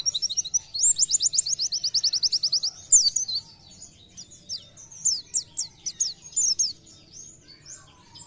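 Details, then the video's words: Oriental white-eye in 'gacor nembak' song: a fast, steady trill of high, clipped notes lasting about two seconds, then a looser run of thin, scattered high chirps and squeaks. "PLECI GACOR NEMBAK BIKIN PLECI TAMBAH GACOR"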